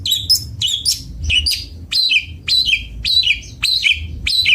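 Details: Long-tailed shrike (cendet bondol) song: loud, clear phrases of a high note sliding down into a lower twitter, delivered in a steady series roughly twice a second, with faint low rumble underneath.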